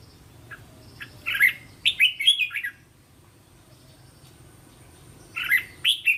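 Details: Red-whiskered bulbul song played for training young caged bulbuls to sing along: two bursts of short bubbly whistled phrases around the middle and end, with a quiet gap between.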